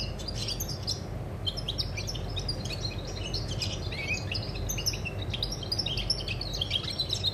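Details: European goldfinch song recorded 20 August 2020: a dense, rapid twittering of high tinkling and chirping notes, some short buzzy trills, running almost without pause over a steady low background rumble.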